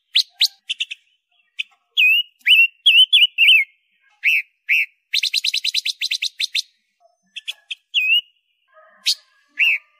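Red-billed leiothrix singing loud, high, varied phrases of short whistles and slurred chirps, with a quick stuttering run of notes in the middle.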